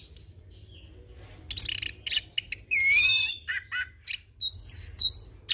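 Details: Young orange-headed thrush in a rolling song full of varied phrases, used for training and as a lure: thin whistles, harsh chattering bursts, a loud rich warbled phrase, then high wavering whistles.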